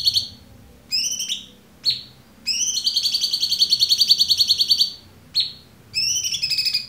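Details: Cucak cungkok singing in a clear-voiced tutor recording for training murai batu, cendet, kacer and konin: sharp descending chips alternating with long buzzy, rapidly pulsed rattles, one lasting about two and a half seconds.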